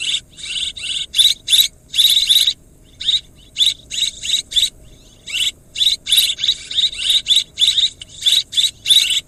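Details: Repeated buzzy chirps from swiftlets, delivered in dense clusters of short trilled bursts with brief pauses, continuing steadily for about nine seconds; nothing else audible.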